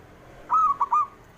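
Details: Single phrase from a male zebra dove, used to stir slow-singing doves: a clear, ringing coo broken into three quick quavering parts.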